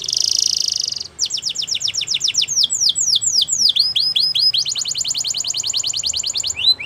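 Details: Belgian canary pours out a buzzy trill, then a string of sharp falling whistled sweeps that speed into an even rapid series of repeated notes, ending with rising slurs.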